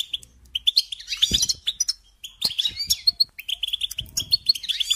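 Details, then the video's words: Goldfinch singing, played as a lesson for young songbirds: bursts of rapid tinkling, twittering notes and brief trills broken by short gaps, with some faint thumps underneath. "Teaching Singing Lessons Through Goldfinch Motives"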